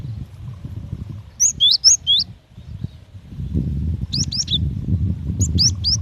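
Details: Female cinereous tit calling the male: three short bursts of high, thin chirps and downward-slurred whistles, while a low rumbling noise grows louder in the second half.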